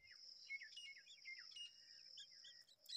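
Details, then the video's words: Myna chicks give quick, squeaky chirps that slur downward, several a second, as their mother feeds them in the nest, over a steady high insect-like hum. "Myna is feeding her babies"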